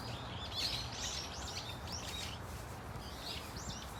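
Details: A flock of Brown-eared Bulbuls at Dunsan Grand Park gives scattered, arching high calls, a few overlapping notes per second over steady low background rumble.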